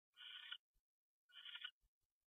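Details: Owl calling at night at 1:21 AM on January 22, 2013, as a pair takes off: two harsh, raspy bursts of about half a second each, a second apart, with faint knocks between, in an otherwise quiet setting.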